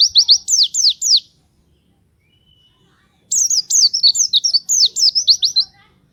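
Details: White-eye (pleci) in full 'nembak' song for luring other birds: a brisk phrase of high, steeply dropping chirps, about two seconds of near silence, then a longer, fast chirping run.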